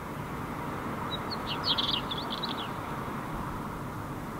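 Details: Northern wheatear singing on a summer night in May 2018 in Helsinki, Finland: a short scratchy, chattering song phrase of quick high notes over a steady low rumble like distant traffic or wind.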